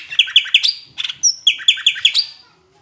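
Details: Greater green leafbird from Palembang singing a tutor song with an Asian brown flycatcher imitation: quick runs of bright, ringing chirped notes in two bursts, each note sharply repeated, separated by a short high whistle.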